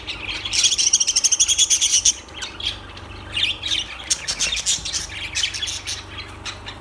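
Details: Lovebirds open with a fast run of about a dozen evenly repeated high, ringing chirps, then break into mixed squawks and rapid twittering, over a low hum.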